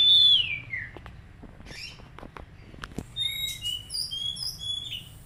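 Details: Magpie-robin song for coaxing an untrained bird to sing: a loud, downward-sliding whistle, then soft clicks and ticks, then a string of short high whistled notes at varying pitches.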